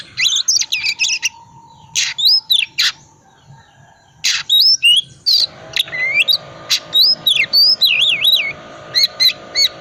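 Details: Oriental magpie-robin twittering ngriwik song meant to stir quiet birds into singing: scattered sharp chips and harsh notes, then rapid varied whistles swooping up and down in looping, wavering phrases, with a faint hum behind.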